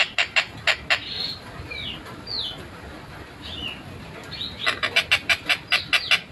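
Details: Long-tailed shrike in a lively, clear, fast tight song: harsh clicking pulses give way to several slurred, downward-swooping whistles, then a fresh run of quick rasping pulses.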